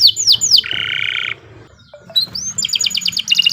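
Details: Canary of the Kenari Nusantara type in a long training song: falling whistles, a harsh buzzy rattle, a brief pause with faint low notes, then rising whistles and quick high trilled phrases.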